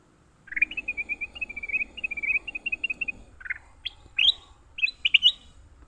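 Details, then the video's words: Leafbird caught while fighting: a long even series of clear whistled notes repeated about four times a second, then louder, sharper rising calls in small clusters. "Tarungan Burung hijau"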